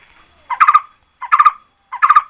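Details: Lure song of a red-whiskered bulbul: three bursts, each opening with a short rising note and then breaking into quick stuttered chattering notes, spaced under a second apart over a quiet background.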